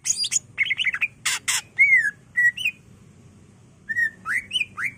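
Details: Greater green leafbird (cucak ijo), a caged bird in energetic full song used as a lure and master for training other birds: varied whistled notes near mid-high pitch mixed with harsh buzzy bursts and rising slurred phrases, quiet gaps between.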